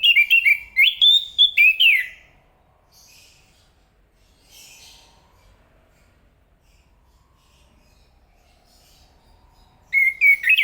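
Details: Chestnut-capped thrush (Zoothera interpres) repeating a lively phrase of about eight quick whistles that climb and drop, then near-silence with faint soft notes before the song resumes.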